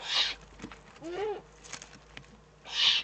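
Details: Eurasian eagle-owl in the Eifel, 3 May 2014: two loud, breathy hissing bursts open and close the moment, with a soft, short rising-and-falling squeaky note in between.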